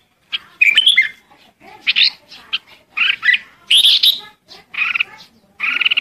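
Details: Red-whiskered bulbul summoning the flock: separate bursts of chattering, buzzy chirps and twisting whistled notes, each burst under half a second, spaced by brief silences.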